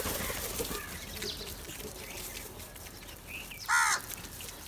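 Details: Crows come together to fight over food. Faint chatter and background noise run through, then a single loud, grating caw breaks out near the end.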